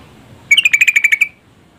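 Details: Female yellow-vented bulbul calling to stir a male into singing: a quick run of about nine sharp, bright, even notes, fairly high-pitched, lasting under a second against a quiet background.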